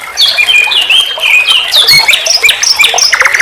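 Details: Common nightingale song on a master recording for training songbirds: a dense run of varied whistled phrases, sharp upslurred notes and quick high chirps with barely a pause, bright and loud throughout.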